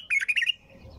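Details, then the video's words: A bulbul sings non-stop, giving a quick run of four or five bright, slightly harsh chattering notes in half a second, then falls quiet against faint background hiss. "تغريد بلبل طور بدون توقف"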